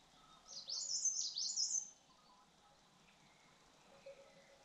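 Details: White-tailed robin, also known as white-tailed blue robin, singing: a brief high, bright warbled phrase of quick rising and falling notes lasting about a second and a half, followed by faint distant calls over quiet background.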